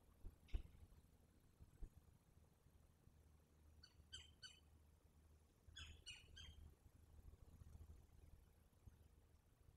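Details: At night on 9/7/23, both Verreaux's eagle parents settle at the Selati nest with their eaglet; two separate bursts of three quick, sharp, descending squeaky notes break a quiet stretch with low hum.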